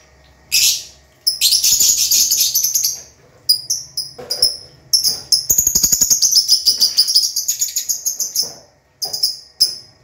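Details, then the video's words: Lovebirds, kept birds, some singing vigorously (gacor) while others sleep or sit in pairs; shrill high chirps in short bursts, then a long unbroken run of rapid, piercing chatter, ending with a few separate sharp notes. "LOVE BIRD || ADA YANG GACOR ADA YANG TIDUR ADA YANG BERDUAAN"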